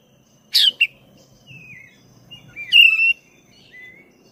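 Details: Vigorous black-breasted oriental magpie-robin song for stimulating caged birds: harsh clicks, then soft descending whistles and a strong sustained whistled phrase, with quieter trailing notes.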